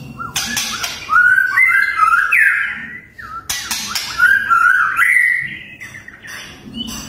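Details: White-rumped shama (murai batu) delivering its fiercest 'tembakan' song: two loud phrases of rapid warbled, rising whistles, each opened by sharp clicks, followed by fainter trailing notes.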